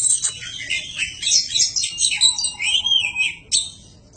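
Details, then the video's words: Kacer, the Oriental magpie-robin, singing in a recording made to train other birds. Rapid, varied chirps and trills run together, broken by a smooth sliding whistle, then a short pause and a fresh burst. "Suara panjingan masteran burung kacer gacor"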